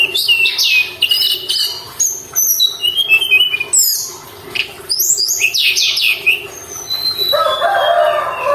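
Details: Sunda robin in constant song as a lure to provoke caged birds: fast downward sweeps and stepped whistles in quick phrases, ending in a harsher, lower chattering buzz.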